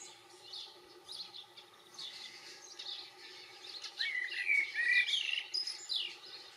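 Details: European goldfinch gives quick, tinkling, liquid twitters, high and rapid, strongest in the second half, over a steady low background hum.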